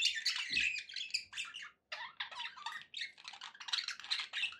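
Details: Pet budgerigars chattering indoors: dense, scratchy warbling with squawky notes and fast chirps tumbling over one another almost without pause, with one brief gap near the middle.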